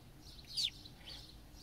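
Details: A house sparrow heard from a car, with sparrows all around, a female preening and calling nearby and a male singing, gives a single bright chirp dropping in pitch amid faint softer chirps and low hum.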